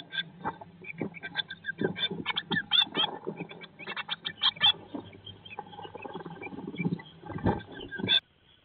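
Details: Eurasian blue tits in a nest box, day 19 after hatching, May 2022: dense runs of short sharp chirps repeated rapidly in bursts, mixed with rustling and scratching against a steady low hum.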